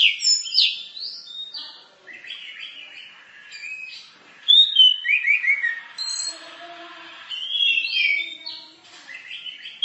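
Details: Orange-headed thrush in a collection of varied songs used as tutor recordings for training, pouring out clear whistled phrases with rising and falling slurs and rapid chattering notes, broken by short pauses.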